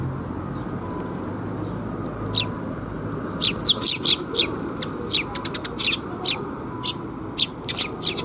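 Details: Sparrows arriving to be fed at a bridge (水上橋) on 26 June 2021. Short, sharp, high chirps come in quick irregular bursts, thickest after the third second, over a steady low background rumble.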